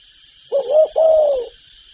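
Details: Spotted dove calling from its repertoire of calling, urging and cooing: a single low, mellow phrase, a short wavering note then a longer falling coo, with a faint constant hiss behind.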